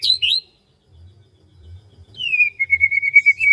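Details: A morning rice-field bird gives a brief chirp, then after a pause a steady fast trill of even, slightly falling whistled notes, with low background rumble.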